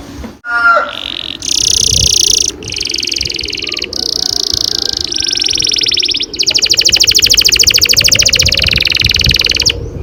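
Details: Canary performing a long rolling song used to lure young canaries into singing: a run of buzzy, sustained high trills in shifting blocks, ending in a faster pulsing roll over a low background murmur.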